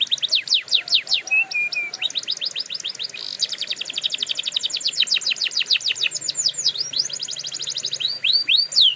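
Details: Canary song used for training other canaries: fast rolling trills of rapid repeated notes, broken by sweeping downslurred whistles and brief steady high tones, continuing without pause.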